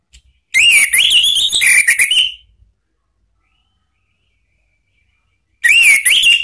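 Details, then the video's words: Lure song of an Orange-headed thrush for cage-bird training, ngeplong style: a rapid run of warbled, wavering whistles lasting about two seconds, then silence, then another loud warbled phrase starts. "memancing ANIS MERAH BUNYI NGEPLONG ¦ PANCINGAN KICAUAN ¦ NGERIWIK"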